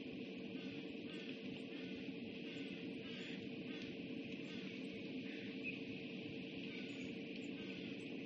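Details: A constant broadband hiss with a steady low hum throughout, and no animal sound.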